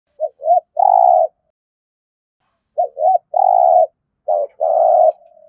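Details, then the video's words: Spotted dove giving intense, urgent cooing used in daily training of decoy birds: low mellow phrases of two short notes and a longer drawn coo, repeated three times with gaps of about a second and a half, otherwise quiet. "Tiếng chim cu gáy thúc gù cực đỉnh"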